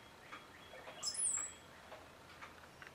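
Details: Male cowbird puffing his chest at his own reflection gives one brief, very high, thin whistle that slides downward, with faint soft ticking clicks around it in an otherwise quiet setting.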